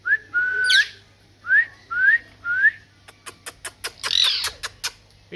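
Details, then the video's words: Parrot said to be talking, giving three short rising whistles near the same pitch, then a run of sharp clicks ending in a harsh, buzzy squawk; faint steady low hum underneath. "Parrot Talking"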